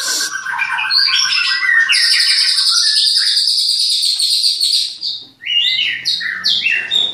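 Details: Captive-bred white-rumped shama, Klaten, delivering a mid-pitched trill that switches to a long, very high buzzy rattle, followed by short sharp high chirps.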